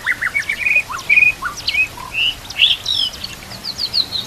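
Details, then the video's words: White-rumped shama song for teaching captive shamas, with canary-style fills and a babbling-water background: a lively stream of high whistles, brief trills and sharp chips delivered almost without pause. "MASTERAN MURAI BATU ISIAN KAPAS TEMBAK KENARI CILILIN"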